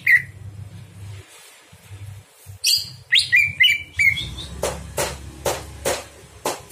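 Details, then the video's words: Night song of a Greater green leafbird for training other birds: scattered single chirps, then a short cluster of bright slurred whistles, followed by several sharp, evenly spaced clicking taps. "masteran cucak hijau di malam hari"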